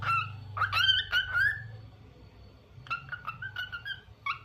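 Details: Lutino cockatiel, kept indoors, giving its daily tunes: a burst of quick, rising whistled notes with bright overtones, a short pause, then a run of shorter chirpy whistles, over a low steady hum in a small room.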